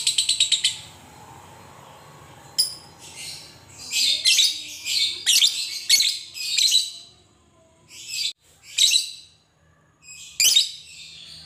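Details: Fighter lovebird giving its long ngekek song, used as a lure to stir other lovebirds into singing: a rapid burst of shrill chattering notes, then a pause and a string of sharp, harsh high chirps in irregular bursts.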